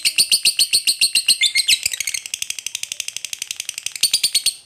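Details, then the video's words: Lovebird using its ngekek call to get other lovebirds answering: a rapid chattering trill that starts with spaced harsh pulses and quickens into a dense, steady rattle. "Suara Lovebird Memanggil Kawan, KOEK NGETIK Lanjut Ngekek Bikin Lovebird Nyaut Bersautan"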